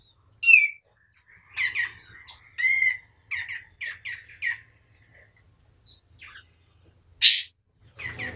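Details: White-eye singing vigorously, as a tutor recording for training other birds: a string of separate, short, high chirps and slurred notes, a few per second, with one sharp, loud squeak near the end.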